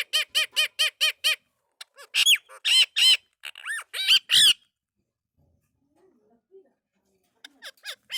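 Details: Indian ringneck parakeet, a talking pet bird, repeats a clear harmonic note about six times at a steady pace, then a run of louder squawky, speech-like syllables, then near silence with faint sounds at the end.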